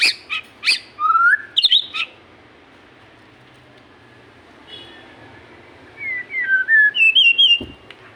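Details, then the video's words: Magpie-robin delivering a burst of sharp chips and a short whistled slur, falling silent for several seconds, then resuming with a fluid series of rising and falling whistled notes. "burung murai gacor"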